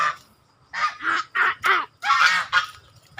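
A swan gives a series of harsh, nasal honking calls, about six short blasts in three seconds, loud and close.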